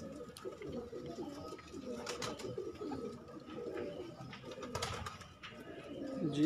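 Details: Pigeons kept as a hobby give soft, low, throaty coos, repeated in rolling phrases, with indoor room noise, a steady electrical hum and occasional clicks and bumps.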